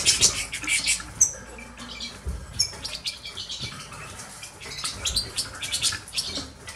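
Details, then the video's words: Five caged goldfinch hybrids, crossed with canaries and Himalayan greenfinch, give a dense high twittering of quick chirps and short bright notes, loudest in the first second and then continuing more softly with rustling in the background. "hybrides de chardonnerets"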